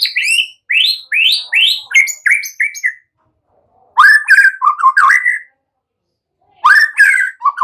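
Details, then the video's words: White-rumped shama song played as a lure to get untrained young shamas singing quickly: bright, rich phrases of rising whistled slurs repeated rapidly, then varied warbling bursts after a pause, with loud clear notes and quiet gaps between phrases. "Pancingan murai BAKALAN Agar ikutan NGEPLONG GACOR dengan CEPAT"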